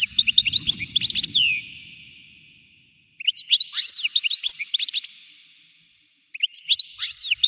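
European goldfinch singing in three quick bursts of tinkling, twittering notes with short buzzy trills, each burst lasting about two seconds, separated by brief pauses.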